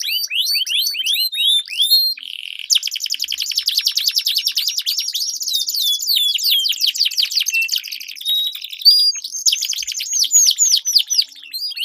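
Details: Duelling canaries deliver long rolls, used as a training lure for competition birds. Repeated hooked whistles, then a long mixed stretch of buzzy rolls, fast trills and sliding notes, continuous and high-pitched throughout.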